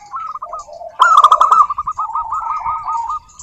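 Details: Local zebra dove song meant to provoke other doves: a short trilled phrase, then a loud bubbling burst trailing into a long run of rapid, even coo notes.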